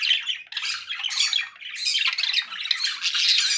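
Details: Conure parakeet squawking loudly and harshly, raspy broad screeches in near-continuous overlapping bursts, several strong peaks over a few seconds.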